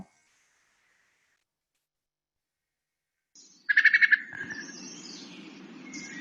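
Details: Wood Thrush gives its late-evening bubbly call, a quick burst of about six sharp, mid-pitched pips in half a second, no longer flute-like, given when alarmed or getting ready for bed; steady hiss follows.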